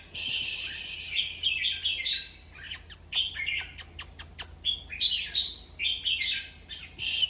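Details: Red-whiskered bulbul vocalizing to stir up other bulbuls, with near-continuous bright, scratchy chattering phrases and a fast series of sharp clicking ticks in the middle.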